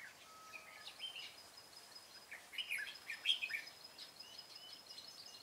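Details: Red-whiskered bulbul recorded during trapping on 25 April 2017, giving several quick warbled, whistled phrases that grow louder toward the end, with a thin constant high tone and other faint bird chirps behind.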